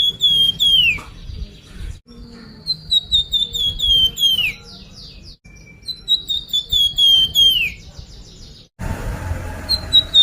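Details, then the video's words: Sunda pied fantail (flamboyan) song used as a lure to make birds sing: bright whistled notes slurring downward, repeated in quick bursts with higher chirps over them, a short noisy break near the end. "suara pancingan burung flamboyan"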